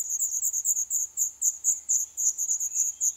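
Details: Black redstart nestlings on their eleventh day, in a nest inside an old furnace pipe of a building due for demolition in Poland, give rapid, very high, thin hissing begging notes in pulses about five per second, steady throughout.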